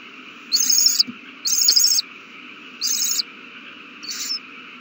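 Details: Owl babies eating a big meal, March 27, 2020: four raspy hissing screeches, the last shorter and weaker, spaced about a second apart above a quiet hum.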